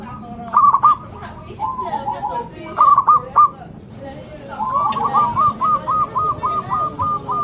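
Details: Zebra dove cooing in short rolling bursts, then a long run of evenly paced beaded notes, partly overlaid by murmuring voices and background noise.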